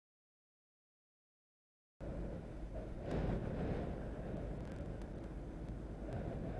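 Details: Two seconds of silence give way to a dull outdoor rumble like wind or passing vehicles, with a few sharp knocks and no animal calls.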